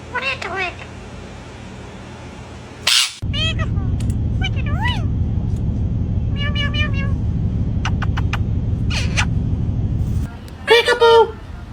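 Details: Pet parrot talking: short harmonic speech-like phrases and squawks between pauses, with one loud shrill scream near the start and another burst near the end, over a steady low hum in the background.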